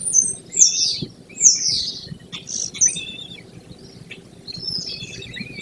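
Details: American kestrel at a gravel-bottomed nest box on a limestone-footed barn near Prairie du Chien, Wisconsin, above rolling grassland, 28 May 2024 at 06:29. Loud, harsh, high downslurred notes come in uneven bursts, with a low rural rumble underneath.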